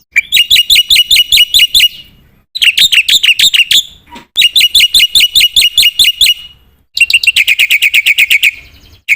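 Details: Black-winged myna pouring out fast, loud trills of high repeated notes in four long bursts separated by short silences, each burst holding a steady rhythm.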